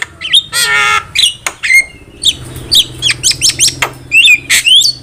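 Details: Javan myna singing vigorously, used as a lure for catching birds. A nasal, buzzy squawk opens the clip, followed by a quick run of short bent whistled notes at roughly two per second, with harsh chips in between.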